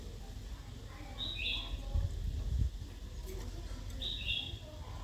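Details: Female red-whiskered bulbul calling to provoke a wild-caught male into singing and fighting; two brief, sharp chirps about three seconds apart, each a quick high two-part note, over a low steady rumble.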